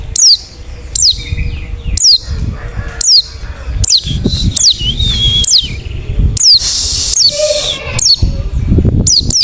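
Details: Luring call of a wild forest white-eye, played to make other white-eyes answer: short, high, downslurred chirps repeated about once a second, with bursts of hiss and low rumbling noise between them.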